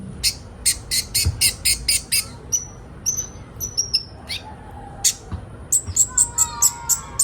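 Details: Kolibri ninja sunbirds, a crowd recording used to train young birds to sing fast. Loud high chirps in a quick series, then thin slurred whistles. Faint lower warbling notes and soft knocks appear near the end.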